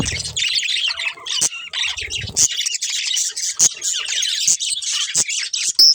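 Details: Breeding pair of budgerigars keeping up a busy, overlapping stream of high chirps, scratchy squawks and short whistles, with sharp clicking notes breaking through now and then.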